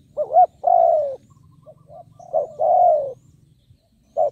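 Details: Caged spotted dove used as a decoy to draw wild birds, giving low hoarse coos: a rising-falling note, a long descending coo, softer short notes, then a repeat, with a constant low hum beneath.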